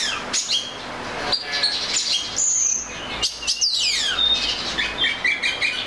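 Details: Oriental magpie-robin singing a varied, melodious run of clear whistles and trills, including a long sweeping whistle sliding steeply downward and short high notes repeated near the end, with scattered sharp clicks between phrases.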